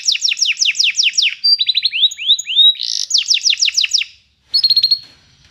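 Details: Canary song for teaching a canary to sing: quick runs of falling notes, a set of rising slurred whistles, more rapid descending trills, a short gap, then a brief high trill.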